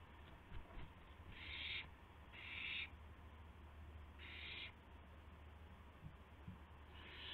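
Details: Night recording from 12:25 AM, April 7, 2016: an owl gives harsh hissing screeches during a gopher prey delivery. Four rasping bursts, loosely spaced, with faint soft thumps and a constant low hum beneath.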